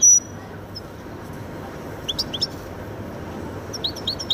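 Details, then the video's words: Goldfinch × canary hybrid giving a few scattered high chips and short twittering notes, sparse and fairly soft, over quiet low-level background noise. "هجين ويداني ممتاز"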